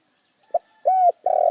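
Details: Spotted dove, played to make other doves reply: a short low note, a sustained level coo, then the start of a long vibrating coo, cut off. A faint high hum is in the background.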